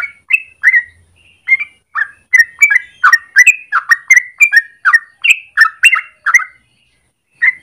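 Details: Yellow-vented bulbul in morning song, 'ropel panjang' style for training birds. After a few scattered opening notes, a fast run of bubbly whistles builds in the middle and then stops, leaving one final note near the end.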